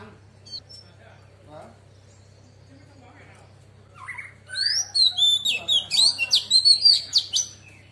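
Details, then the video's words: Female Oriental magpie-robin, wild-voice song used to excite males. Faint scattered notes and low background chatter give way to a loud run of rapid, repeated whistled and buzzy notes in the second half. "Choè than mái hót giọng rừng kích trống căng đét"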